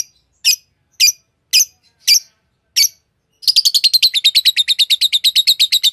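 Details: Five evenly spaced shrill chirps from a green Fischer's lovebird lead into a long, rapid chattering trill of rasping notes, roughly eight per second.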